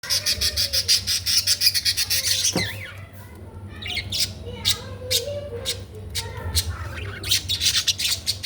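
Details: Budgerigars chirping: a fast, even run of sharp repeated chirps, then a sliding squawk and scattered warbled chatter, before dense overlapping chirps return at the end over a low steady hum.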